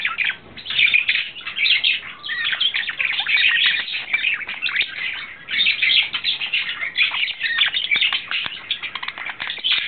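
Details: In April 2009 a male budgerigar in love sings a long, rapid warble: steady scratchy chattering and clicks, with brief dips in loudness between bursts.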